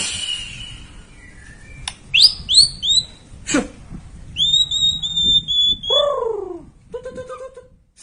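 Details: White-rumped shama song used as a lure to provoke a young bird: scattered clear whistles, some sliding downward in short bursts, followed by a sustained high whistled phrase and lower falling notes, over a low background hum.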